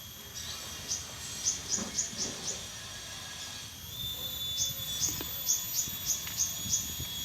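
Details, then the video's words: Plain Prinia in a rice field, responding to calls, gives quick runs of about six thin, high chipping notes, roughly three per second, over a steady high insect drone. "burung ciwah ciblek sawah respon suara liaran wiceh"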